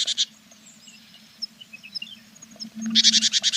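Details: Tit nest box on 21 April with a mother and her feathering chicks: brief harsh rasps open the recording, quiet faint high notes follow, then a louder rapid series of raspy pulses closes it over a low hum.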